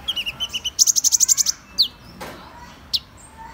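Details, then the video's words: Song of Van Hasselt's sunbird opening with a rapid, buzzy trill of about a dozen high chips, followed by two isolated sharp downslurred notes. "Tiếng chim HÚT MẬT 7 MÀU chuẩn ✅Van Hasselt's Sunbird(Leptocoma Brasiliana)"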